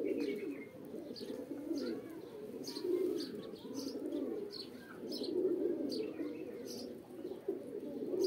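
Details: A pigeon flock keeps up low, throaty cooing in pulses every couple of seconds, with small high chirps scattered above.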